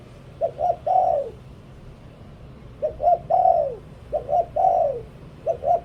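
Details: Spotted dove kept as a decoy bird sings three-part phrases: two short soft coos leading into a louder, longer falling coo, with gaps of quiet between phrases.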